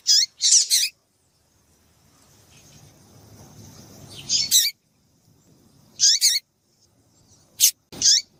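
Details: Calls of a female variable seedeater, used to stir a male into singing: brief high chirps in loose clusters, a pair at the start, then single notes spaced about one and a half seconds apart, some sweeping down.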